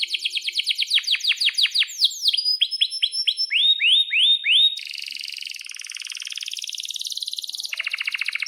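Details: Singing canary with sharp 'cuit cuit' notes and long rolls, used to tutor young canaries. Fast downswept chirps and curving whistles lead into an extended dense roll, ending in a rapid pulsed trill.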